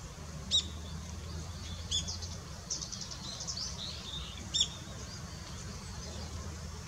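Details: Long-tailed rosefinch, male and female, on 20 December 2016: sparse sharp high call notes and a short twittering passage in the middle, with a soft low hum underneath.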